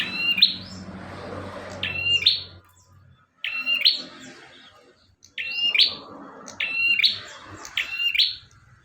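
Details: Bar-winged prinia singing briskly for use as a training recording: high, buzzy, two-part phrases repeated every second or so, the trill ending in a bright upward flick, with soft low rumbling between.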